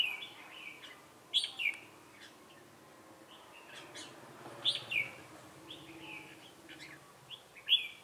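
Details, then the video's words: Red-whiskered bulbul singing "ché" as a decoy to lure rivals into a trap, Bình Phước, Vietnam, 25 June 2018. Repeated lively phrases of slurred whistles ending in bright squeaky notes, roughly every three seconds, with light background chatter of notes. "Bẫy chào mào Ché cười"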